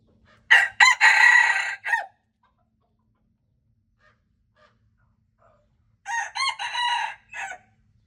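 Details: Two crows from a wild red junglefowl cock, February 26, 2025, about four seconds apart, each a quick pair of harsh notes, a longer held phrase and a short dropping tail, with quiet pauses between.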